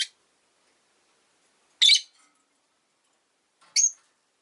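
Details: A few loud, rasping high calls spaced about two seconds apart from caged Rosy-faced lovebirds, five pets kept beside a window, still calling a lot in winter.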